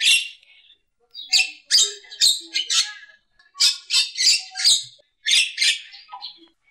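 A Javan myna sings in harsh, scratchy bursts of high chattering notes, grouped in phrases about half a second apart with brief pauses between clusters.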